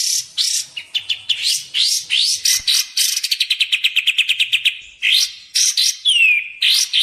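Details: Lure sound of a sooty-headed bulbul for trapping and training: busy mix of rising whistled swoops and buzzy bursts, a long fast series of sharp repeated chips in the middle, then more swooping notes and one clear falling whistle.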